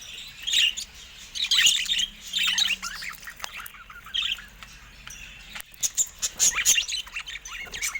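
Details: Several caged budgerigars going at a camera: harsh squawky chirps and warbling in repeated bursts, a quiet stretch with a sharp knock, then renewed rapid chattering.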